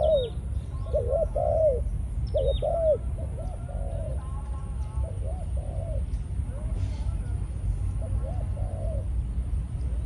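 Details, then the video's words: Malaysian-strain decoy spotted dove, caged and in breeding condition. Clustered coos come early, then softer, more scattered notes fade later. A brief faint voice-like sound and low rumbling run beneath. "Chim cu gáy mồi"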